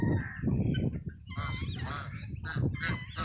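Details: Adult geese kept together with chicks, calling in harsh, nasal honks that come in a loose run of several notes, some rising sharply, above a constant low hum.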